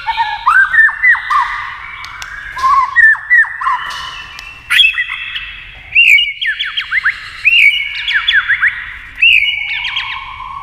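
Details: Caged white-rumped shama singing against a TV, tail flicking, fast varied phrases: clear whistled notes and sharp rising and falling slurs, bursts of quick notes with brief pauses between phrases, loud and close.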